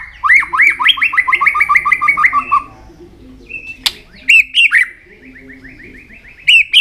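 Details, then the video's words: White-rumped shama singing while flicking its tail, to excite young birds for fighting: a fast run of repeated whistled notes, then a click, followed by brighter phrases and a sustained trilled note. "chòe lửa hót đánh đuôi.chòe lửa tạch kích bổi lên lửa hiệu quả"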